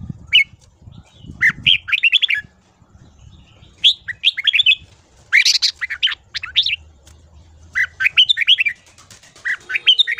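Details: Red-whiskered bulbul (chào mào) morning song used for voice training: bursts of quick chattering, squawky notes in short rapid phrases separated by pauses, with scattered low thumps in the background.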